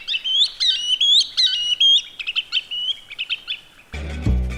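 Green Sandpiper giving ringing, high whistled notes that rise and fall in quick repeated bursts, fading over about four seconds before music starts.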